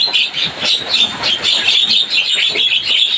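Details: Javan myna giving a dense, noisy stream of harsh, high chattering and squeaky notes, run together almost without pause, with short rises and falls in loudness through the whole stretch; faint low rumble beneath.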